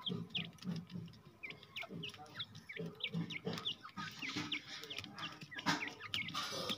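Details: Freed grey francolin, the jungle teetar, with dense runs of quick rising chirps repeated several times a second over handling knocks and a low background hum.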